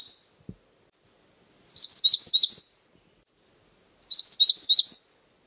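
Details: Magnolia warbler song phrase given twice, each a rapid string of high, sweet, slurred notes that rise and fall and end with a brief upward flourish, with silence between phrases apart from a soft click.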